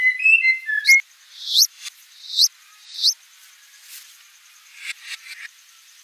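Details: White-rumped shama singing: short varied whistles, then three sharp upward-sweeping notes spaced nearly a second apart, ending in soft clicks and faint chips.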